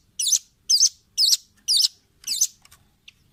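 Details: Velvet-fronted nuthatch, a training recording for caged birds: five harsh, high, rasping notes, each about a fifth of a second long, repeated twice per second, then a few faint ticks.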